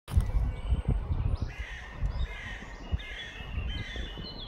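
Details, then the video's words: Common starling (Sturnus vulgaris) in Tivoli Landscape Park, Ljubljana, on 21 June 2024 gives harsh, grating chatter and scratchy notes in short bursts over a heavy low rumble of wind or traffic. "Sturnus vulgaris ŠKOREC"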